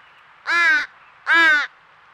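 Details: Two drawn-out, raspy caws in quick succession from a crying crow fledgling whose family has taken over a squirrel feeder in Nova Scotia, Canada.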